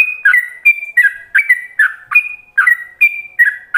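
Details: Yellow-vented bulbul singing a fast ropelan master phrase for other bulbuls to learn: a continuous stream of clear, rolling whistles that alternate between a higher sustained note and lower warbled slurs.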